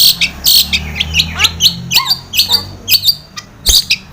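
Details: Lure recording of a long-tailed shrike to prompt caged shrikes to sing: rasping high bursts interspersed with brief downslurred whistles, repeated rapidly and irregularly.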